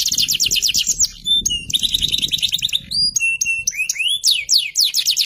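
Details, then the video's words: Canary, FFYS type, delivering a varied song of repeated fast trill notes, steady whistled tones, rising glides and sweeping descending notes. Faint low background noise throughout. "Kenari FFYS lagunya istimewah"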